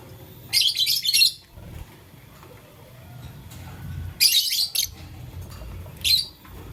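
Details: Lovebird in blue, lutino and green, playing with a flower during the morning, delivers long rasping bursts of dense high chirping, a pause of several seconds, another rasping burst, then one short chirp.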